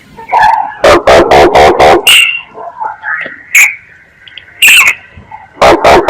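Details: Myna lure call: harsh broadband chattering bursts alternating with clear whistled notes, some rising and some sharp and high, separated by short quiet gaps.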